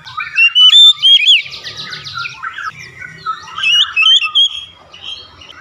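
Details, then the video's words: Oriental magpie-robin (kacer) mixing clear whistled phrases with a buzzy rattling series, then softer warbling notes that fade toward the end. "terapi KACER cepat buka paruh"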